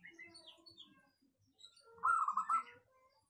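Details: Local zebra dove delivering one short burst of quick, bubbling coos near the end, preceded by faint scattered chirps from other birds.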